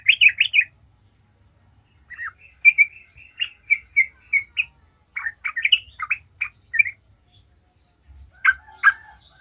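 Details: Gacor ngalas lure song of a sooty-headed bulbul, aimed at making other bulbuls sing: a brisk opening trill, then a series of clipped, warbled chirps at an irregular pace, with a final loud flourish.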